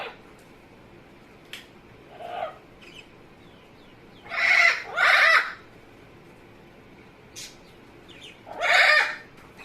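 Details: Amazon parrot making funny noises in a room: faint clicks and a low croak, then a pair of loud harsh squawks back to back and a third a few seconds later.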